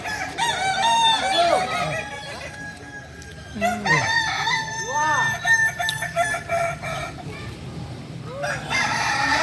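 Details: Crowing practice of Kukuak Balenggek roosters, Solok's native singing chickens. Harmonic crows swoop upward and then break into bouncing arched syllables, with several birds overlapping and pausing between bursts.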